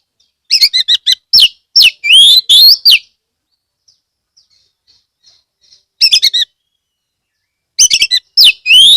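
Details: Oriental magpie-robin (kacer) from Kebumen, Central Java, Indonesia, singing as a lure for other magpie-robins: rapid runs of clear whistled notes and sweeping slurs in bursts, with quiet gaps of about three seconds.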